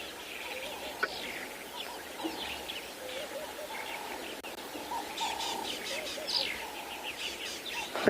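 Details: On a sunrise safari on 11 February 2022, a bird alarm-calls near a watchful female leopard: scattered chirps, then rapid bursts of harsh, high chattering alarm notes, over a steady droning hum with faint background noise.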